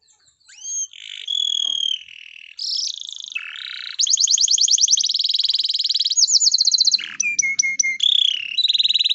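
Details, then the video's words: Canary in breeding condition singing to call a female: a loud continuous high song of rising whistles, long steady tones, and fast buzzy trills of rapidly repeated notes, switching between phrases every second or two. "suara burung kenari birahi panggil betina"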